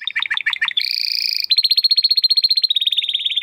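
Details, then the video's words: Domestic canary singing in 'gacor', crystal-voice style, recorded as training material for competition birds: rapid repeated falling notes, then a sustained buzzy trill, then a long fast series of bright chipping notes. "Kenari Gacor Suara Kristal Buat Masteran Burung Gantangan"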